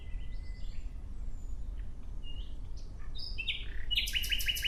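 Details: Nightingale: soft, thin whistles and short notes at first, then the song builds near the end into a loud burst of rapid, evenly spaced repeated notes.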